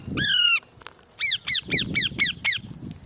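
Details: While eating lemon, a parrot makes one long buzzy squawk, then a rapid run of six short, hoarse notes that each drop in pitch, against a continuous high insect whine.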